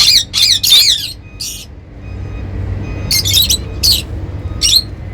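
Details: Happy lovebirds: three quick wavering high squeaks, a buzzy note, a pause, then another run of sharp shrill chirps.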